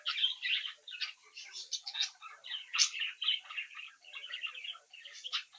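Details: Captive brood of budgerigar chicks chattering and singing; steady dense warble of squeaky chirps with one louder sharp note midway, indoors.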